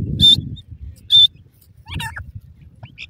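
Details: Grey francolin chicks squabbling over grass in a forest give two piercing high-pitched peeps about a second apart, then a brief cluster of harsher mid-pitched notes, with low rumbling noise throughout.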